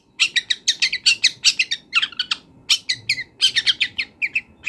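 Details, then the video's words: Wild long-tailed shrike in vigorous song packed with imitated fill-in phrases: rapid chattering bursts of scratchy notes, with brief thin whistles near the end, over faint background rumble. "CENDET GACOR BONGKAR ISIAN | MASATERAN CENDET BURUNG LIAR"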